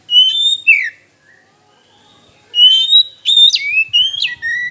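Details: Oriental magpie-robin song played to goad rivals into singing: a short whistled pair of notes, then a pause and a longer run of bright whistles with sharp upward and downward slurs.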